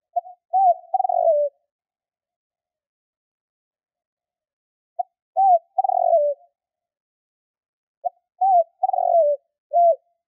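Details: Spotted dove lure call for hunting, three phrases spaced about four seconds apart. Each is a short note, a hooked coo, a burry descending coo and a closing arched coo, low and mellow, with no other sounds.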